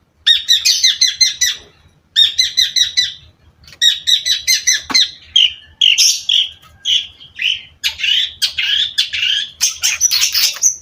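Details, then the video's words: Long-tailed shrike delivering loud, fast phrases of clicking, buzzy notes separated by short gaps, then shifting into harsher, broader squawking and chattering sounds. "cendet gacor"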